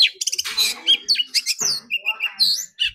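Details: Oriental magpie-robin in competition song, said to sing all day; dense, energetic warbling with rapid rattles, scratchy notes and clear whistles, dropping briefly into a lower gravelly phrase midway.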